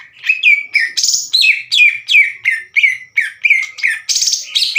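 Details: Harsh, loud song of a caged greater green leafbird challenging another to fight. About a dozen short notes come in quick succession, each a sharp burst that slurs downward, with two broader rasping notes among them.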